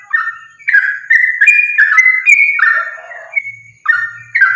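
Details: Continuous fighting-style song of a sooty-headed bulbul (trucukan), used to trigger other bulbuls' singing: quick, liquid whistled notes rippling up and down, a brief lower rasp, then a sustained whistle and more bubbling notes, with a faint low hum.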